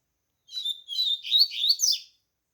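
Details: Caged Double-collared Seedeater coming out of molt and beginning to sing fully: one brisk phrase of high, jumbled chirps and buzzy slurred notes, rising and falling, lasting about one and a half seconds in a quiet room.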